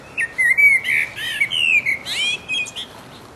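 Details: Mating song from a resident blackbird in full voice, a rich phrase of long, sliding fluty whistles that swoop up and down, broken by squeaky high notes and closing with a scratchy twitter.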